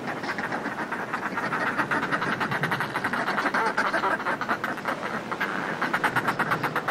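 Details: Groups of northern fulmars displaying on cliff ledges, recorded close, keep up dense, continuous throaty cackling in overlapping rapid pulses; house martins call faintly and the sea washes against the cliffs.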